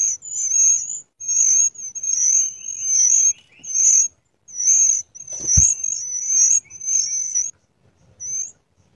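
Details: Wild Blood-breasted Flowerpecker, close and loud, giving high, thin, sizzling notes in bursts about a second long with short gaps. A lower twitter echoes beneath, and a single knock is heard midway.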